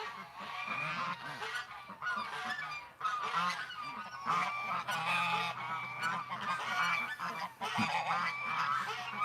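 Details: Farm geese being called out of their pen on a cold morning in May, 2019: a flock honking continuously, overlapping nasal honks from many birds, with a person's coaxing voice briefly and background music.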